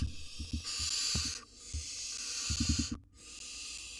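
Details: Wild young barn owl siblings in a nest box, learning to flap and jump: long harsh hissing screeches, two drawn-out bouts with a short break, over low thumps and rustling.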